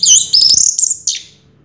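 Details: Orange-headed thrush, the first-place winner of a 2022 singing contest, gives a brief burst of high whistled and buzzy notes that slur downward, then fade out.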